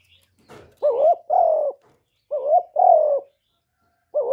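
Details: Spotted dove cooing: low, hollow paired notes, a short hooked coo followed by a longer, slightly falling one, given in two clear phrases separated by pauses against a quiet background.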